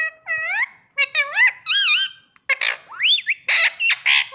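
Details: Indian ringneck parrot, a talking pet taught to say mummy and papa, rattling off a dense run of harmonic, speech-like syllables, some smooth and rising, others rough and breathy.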